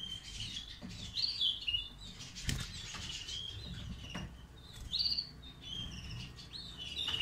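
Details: European goldfinch, one of two white-throated birds being tried with a mate: bright, liquid twittering phrases in short bursts, with sharp clicks and soft wing flutters between them.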